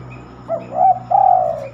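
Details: Night-time song of a spotted dove, rarely heard after dark: a short, soft cooing phrase with a wavering start and a sustained mellow last note over a steady low hum.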